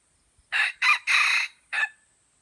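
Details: White-legged F1 red junglefowl from Aceh crowing loudly and close: three harsh, ringing syllables in quick succession, the third drawn out, then a short clipped final note after a brief pause; a quiet background otherwise.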